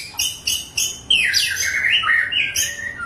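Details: Song of a wild Bahorok white-rumped shama in forest: three sharp separated chip notes, then a flowing series of sweeping, slurred whistles falling and rising.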